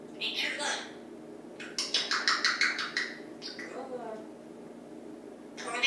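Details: Pet African grey parrot perched in a home kitchen in Texas one morning, saying "Yeah! Banana!" in bright, clipped, human-like phrases with a quick burst of syllables, over a quiet indoor room hum; recorded on an iPad.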